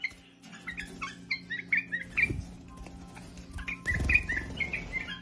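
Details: Bulbul in full song, pouring out a quick series of clear, slurred whistles and chirps with irregular spacing, over a low background hum and occasional soft thumps.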